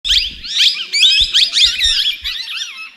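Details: Tamed plum-headed parakeet, described as a talking parrot, giving rapid high chattering and squeaky chirps in dense overlapping bursts, with brief low thumps in the background.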